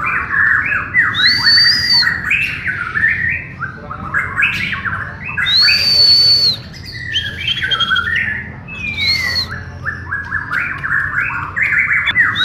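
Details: White-rumped shama (Bornean murai batu) in a group practice session: varied nonstop song of clear high whistles, some long and level, some sliding down, mixed with harsh squawky chatter; other birds may sing alongside.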